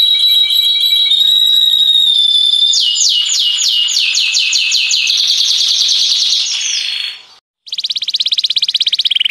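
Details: Canary song used as a lure and training model: a long high whistle opens into rapid repeated sweeping notes and buzzy rolls, a brief silence, then a fast even trill.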